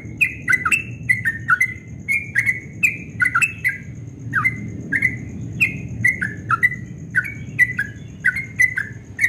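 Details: Yellow-vented bulbul in rapid ropel singing at dawn, said to sound very sweet: bubbly whistled phrases of two or three notes repeated steadily for nine seconds, backed by a low hum and a thin high tone.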